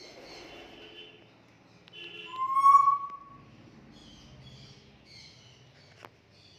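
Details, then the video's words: A talking African grey parrot gives one clear, level whistle lasting about half a second, with some softer chatter and faint room noise around it. "Talking African Grey Parrot"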